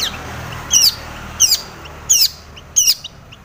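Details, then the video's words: Long-tailed shrike in full song of the style called tomiceng, used to provoke other shrikes into singing: four sharp, very high, squeaky notes, each dropping slightly in pitch, spaced about two-thirds of a second apart over a low background murmur. "SUARA cendet gacor full isian TOMICENG pancingan cendet agar bunyi"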